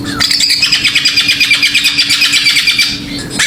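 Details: Greater green leafbird song used as a lure to provoke other birds: a fast, steady stream of high twittering notes, about three per second, with a faint steady low hum throughout.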